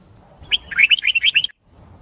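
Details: A white-cheeked red-whiskered bulbul in fighting song from a training recording. One quick, loud cascade of bright, slurred whistles lasts about a second, then stops abruptly.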